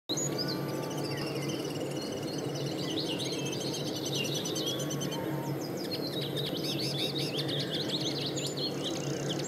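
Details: Common linnet singing: scattered high, thin twittering phrases and short trills, more busy toward the end, over a steady low rumbling hum throughout.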